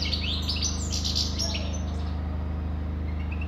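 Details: European goldfinch delivering a quick twittering phrase of high, jangling and sliding notes in the first two seconds, then sparse soft chips, with a constant low hum.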